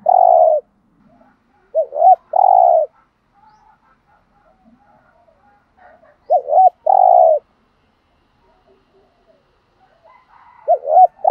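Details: Spotted dove decoy bird from Dak Lak, Vietnam, singing to lure rival males: two-note phrases, a quick rising double note then a long mellow coo, repeated three times with long silent gaps and faint murmurs between.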